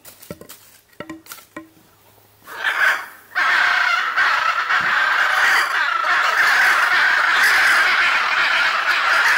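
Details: Pair of Hyacinth Macaws with others nearby at Caiman Ecological Refuge, southern Pantanal, Brazil, July 2019, squawking relentlessly; a few faint clicks at first, then from about three seconds a continuous wall of harsh, raspy squawks from several birds.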